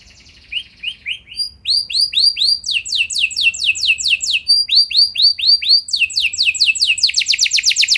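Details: Canary with a long rolling song used to stir other canaries into singing back. A soft trill gives way to repeated high descending whistled sweeps that speed up into a loud, rapid, even roll at the end.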